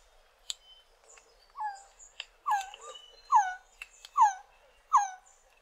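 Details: Resplendent quetzal giving several strong, slurred descending notes roughly every 0.8 seconds, among scattered high chirps and clicks from the surroundings.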